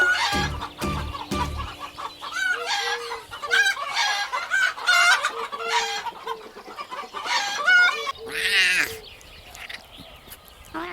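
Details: Chicken clucking in quick, nasal bursts, with a longer, strained crow-like cry near the end, over steady background music.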